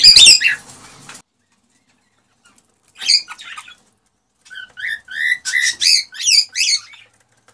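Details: Male cockatiel's excited mating song aimed at a female. A harsh burst opens, then after a pause come scratchy notes, followed by a steady series of clear whistled slurs, several rising then falling, repeated roughly twice a second.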